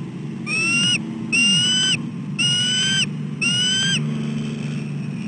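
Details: Female bald eagle calling at the nest while her mate eats on a nearby dead tree: four high, thin, slightly rising whistled notes about once a second, over a low steady rumble of background noise.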